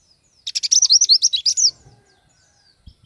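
An Oriental white-eye sings a quick, high twittering burst of about a dozen bright notes that wobble up and down, lasting just over a second.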